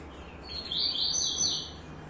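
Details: Yellow-bellied seedeater (Sporophila nigricollis), song.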